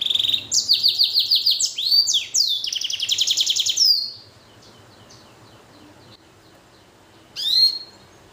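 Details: Black-throat and canary hybrid finch singing vigorously, rapid buzzy trills of repeated notes high in pitch for about four seconds, a few faint chips, then one bright rising note after a quiet pause.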